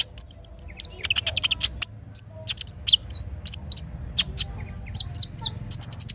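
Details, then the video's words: In morning forest along a river, a little spiderhunter gives quick groups of high chips and short slurred whistles, closing with a rapid repeated chip series, over a faint low murmur of water. "Terapi Sogok Ontong isian kinin Pancing Gacor Pagi Hari"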